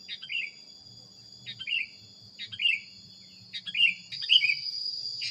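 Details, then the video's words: Training recording of a sooty-headed bulbul: a string of chirpy, slurred falling phrases roughly once a second, the last ones doubled, with a persistent high whine and soft low murmur behind. "suara masteran kutilang anti gagal"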